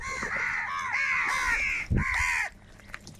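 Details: Crows of a large flock at food, a long run of overlapping raspy caws followed by a final loud call, then quieter.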